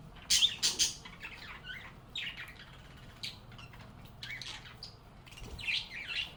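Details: Budgies playing and chatting: a few loud, harsh high squawks open, followed by softer scattered chirps and warbles, with another louder squawk near the end.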